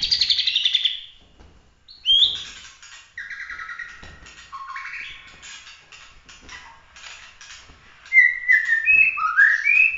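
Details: Competition song of a Bahorok white-rumped shama: varied whistled phrases, a rich warble, then buzzy and chattering notes, ending in bright rising and falling whistles, with short pauses between phrases.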